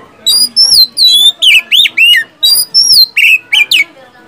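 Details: Oriental magpie-robin song used to draw song from silent caged birds: ringing whistles, some arched, others falling or bending upward, delivered at an unhurried pace with short breaks.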